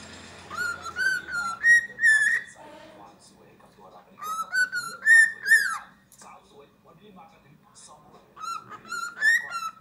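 A cockatiel whistles the Happy Birthday tune in clear, rising and falling phrases, pausing between lines, with faint household background noise.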